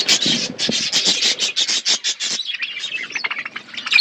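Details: Budgerigars in a forest-setting aviary chirp as a flock: dense runs of short, scratchy chirps pulse steadily for about two and a half seconds, then give way to looser, thinner twittering with a brief sharp note near the end.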